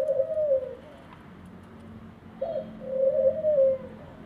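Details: Captive ringneck dove in an aviary repeating its coo: a short upward note sliding into a rolling, purring, descending tone, two phrases about two seconds apart, over a quiet low droning background.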